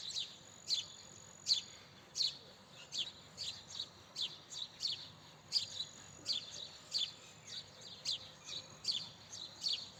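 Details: Long run of insistent house sparrow chirps, roughly sixteen high, clipped notes in ten seconds, loosely rhythmic, with a faint steady whine behind them.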